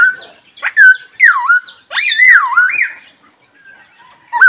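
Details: Laughingthrush calling: loud, clear whistled notes that slur up and down, with a few short rising notes and a louder wavering phrase near the middle, separated by brief pauses.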